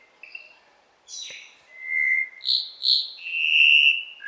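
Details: Cuban Solitaire singing in Cuba, recorded in 2015: a sequence of clear, flute-like whistled notes, some steady and some sliding, with bright high overtones and a long sustained final phrase, in a quiet setting.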